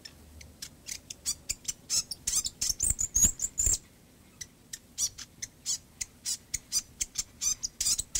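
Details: Backyard fantail producing a steady run of sharp high chips, about two to three per second, with a brief squeaky twittering phrase in the middle.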